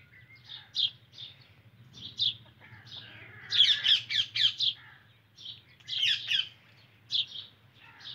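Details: Indian ringneck parakeet giving short, harsh, high-pitched squawking notes, singly and in rapid bursts of three to five, over a steady low hum.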